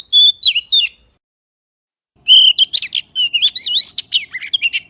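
A magpie gives clear whistled notes, a short burst then a longer run of varied, slurred high whistles after a pause; nothing else is heard.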